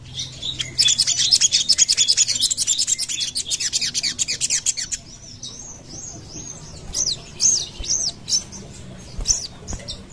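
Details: A sogon gives a fast, high chattering run of sharp chirps, then spaced, squeaky upslurred notes, used as a lure call to draw sogons to answer.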